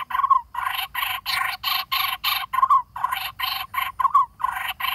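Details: Lineated barbet chick in a dead durian tree cavity, close to flying, calling for food from its parents; steady run of loud, grating squawks, roughly two per second, with occasional higher notes.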